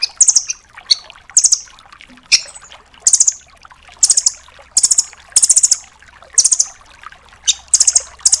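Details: Velvet-fronted nuthatch, the red-billed 'rambatan doraemon', recorded as a training tape for songbirds such as magpie robins; very high, sharp bursts of three to five rapid chips, repeated roughly every second, with faint trickling background.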